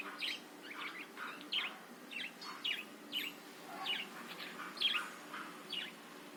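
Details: Budgerigar song used to provoke other birds: separate bright chirps with sweeping, bent shapes, roughly two to three each second, steady and distinct over quiet background.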